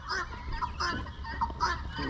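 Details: Female helmeted guineafowl on a small farm near the New York–Vermont border in spring gives harsh, repeated two-syllable "buck-wheat" calls, several in two seconds, over a low rumble; males give one-syllable calls.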